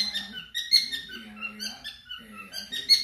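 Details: Pet cockatiels sing while the TV is on, warbling a rambling run of bright, squeaky whistles and chatter that rise and fall quickly, with a low voice-like murmur underneath.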